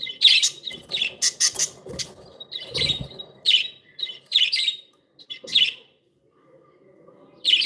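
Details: Happy, playful pet budgerigars chirping: bright, squeaky chirps and scratchy chatter in quick bursts, about two per second at first, then spaced every second or so, with a brief soft rustling thump mid-clip and a short quiet gap near the end.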